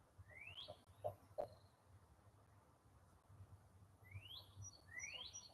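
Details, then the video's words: A Northern Cardinal sings quietly outdoors, heard from indoors: clear rising slurred whistles in two short bursts, with low indoor rumble and a few soft knocks. "I don't know if you hear that bird that's a cardinal"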